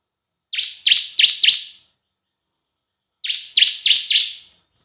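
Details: Bar-winged prinia semi and kristal lure song, given as two matched phrases of four shrill, quickly repeated chirps separated by about a second and a half of silence.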